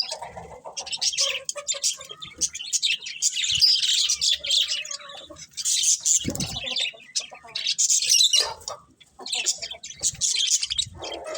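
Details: Budgerigars twittering in fast high bursts that come and go, broken by short quiet gaps and a low thud.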